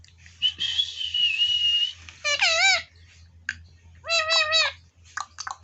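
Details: Village ringneck parrot starting with a long grating screech, then uttering short wavering speech-like syllables in bursts, with scattered clicks and a soft low hum throughout.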